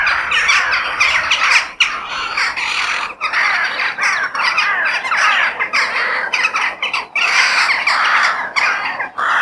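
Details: Crows outdoors in nature: a dense, continuous chorus of harsh, raspy caws from many birds overlapping, with short breaks in the din every second or two.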